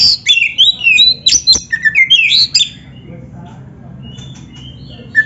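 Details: Oriental magpie-robin (kacer) in full 'gacor' song, a training master recording for magpie-robins: rapid bright whistles and sweeping slurred notes about four per second for three seconds, then near quiet with a faint hum and a last short phrase.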